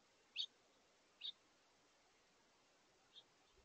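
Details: A House finch pair at a feeder during their last meal of the day on 7 August 2023, communicating with short, bright chirps, two clear notes then two fainter ones irregularly spaced, over steady hiss.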